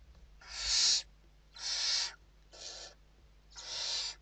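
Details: Western barn owls inside a nest box in Spain during evening feeding on 29 November 2023; harsh broadband hissing screeches, four bursts each about half a second long, with faint low hum beneath.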